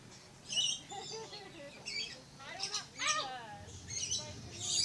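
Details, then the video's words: Red-collared lorikeet at Lion Country Safari, Florida, giving shrill screechy bursts with looping chattering notes mixed in, over a steady low background hum. "Red-Collared Lorikeet Bird"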